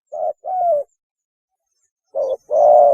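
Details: Spotted dove mating call, used as a lure: two low coo phrases, each a short note followed by a longer coo, the first dipping downward, a gap of over a second between them.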